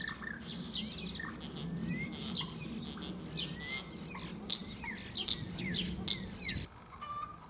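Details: Two male common starlings sing against each other in a German cherry tree, copying other creatures: quick clicks, sharp upslurred whistles and chatter, ending with a lone steady whistle after a sudden drop in background noise.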